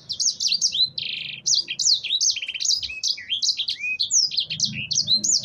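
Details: Canary song used to coax other birds into singing: varied high chirps, short buzzy bursts and falling whistles tumble out rapidly and steadily with hardly a gap.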